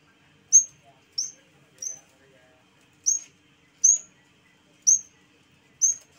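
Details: Energetic song of a yellow-bellied warbler (cikrak bambu): seven piercing, high, downslurred notes, spaced roughly every 0.6 to 1 second, on a quiet background.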